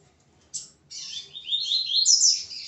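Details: A male Double-collared Seedeater at a breeder's in hot weather in Rio de Janeiro, singing toward a female while returning to breeding, gives one sharp high note, then a fast, jumbled run of bright twittering phrases that rises and carries on without pause.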